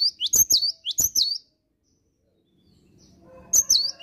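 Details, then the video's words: In the morning a cinereous tit sings persistently: two clusters of high, rising-and-falling whistled double notes, a pause of about two seconds, then another burst with faint background sounds. "Kicauan Gelatik Batu Gacor Dipagi Hari"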